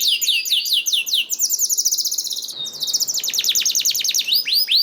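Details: Canary singing to encourage other canaries to sing; rapid repeated high notes rolling in trills that change pace, with a short swept phrase and brisk upswept notes at the end.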